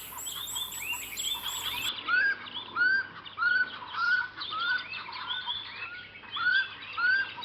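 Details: Common scimitarbills nesting in a braai boma at Hlane Royal Game Reserve, at the moment the first chick fledges, give short, clear, rising whistles about every 0.7 seconds over busy higher chattering and squeaky notes.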